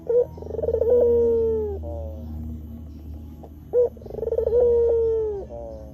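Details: White Barbary dove cooing on a lure recording for wild doves and bird training: a short sharp note leading into a rolling trill and a long steady falling coo, two phrases.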